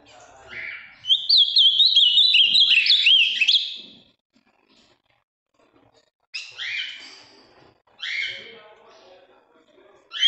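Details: Ultramarine grosbeak, a big, strongly blue bird from the Minas region with a firm voice, sings a three-second run of rapid warbled whistles, followed by a few short separate call notes.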